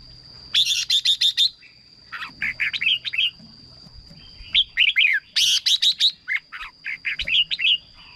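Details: Red-whiskered bulbul song used to excite birds or lure them as a decoy: bursts of five or six sharp, bright notes in quick succession alternate with lower, rolling warbled phrases. A steady high whine runs beneath throughout.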